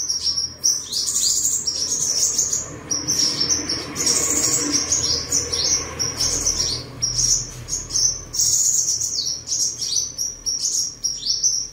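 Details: Pure-bred seven-colour sunbird, caged at home in Đồng Nai, Vietnam, 23 July 2022, singing, displaying and sparring: long sequence of rapid shrill twittered trills and sharp chips in repeated bursts, over a faint low rumble and background noise.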